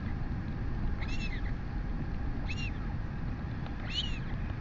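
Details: Royal albatross chick, crop swollen with food, begging as its mother feeds it on camera in New Zealand, August 2020 late morning. Three clear, high, bent whining squeaks about a second and a half apart over gusty wind.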